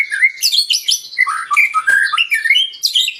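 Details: White-rumped shama song played to stir up other birds and make them sing. It is a dense, fast run of varied chirps, slurred whistles and high twittering notes, with barely a pause.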